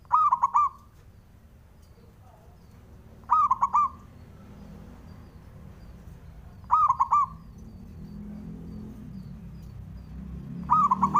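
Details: Zebra dove, a local male used to make rivals answer: four short rolls of quick, hollow, ringing coos repeated about every three and a half seconds over a low hum that grows louder.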